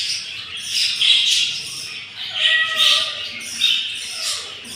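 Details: Budgerigar chicks on day 7, hatched from four eggs and looked after by a yellow pair. They beg hungrily in the nest with pulsing, breathy rasps that swell and fade roughly every second, plus faint tonal notes.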